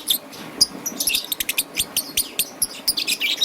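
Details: A young peach-faced lovebird colored green and yellow chatters in the morning with quick, high, squeaky chirps repeated several times a second, busy and uneven.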